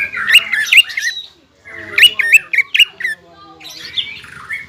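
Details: Greater green leafbird singing hard to stir up rival leafbirds: harsh, squawky slurred phrases in two bursts separated by a short silence, ending with a softer buzzy warble.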